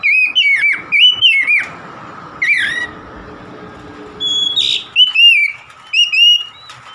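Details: Oriental magpie-robin singing rich whistled phrases in bursts, with a harsh rasping note, a pause of about one and a half seconds with background hiss, then more bright whistles and a scratchy call.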